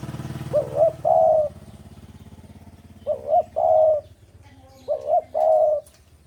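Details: Spotted dove from Java, strongly in breeding mood and singing freely, gives three low, mellow coo phrases about two seconds apart. Each has a quavering first part and a longer level second part, over a steady low hum.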